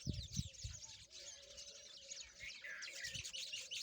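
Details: Peach-faced lovebirds playing together. Rapid overlapping chirps and tweets come several per second. Soft low thumps are heard at the start.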